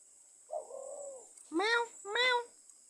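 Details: Pet myna kept for four years, imitating a cat: a soft drawn-out nasal note followed by two clear, rising-falling meow-like calls, quiet room background.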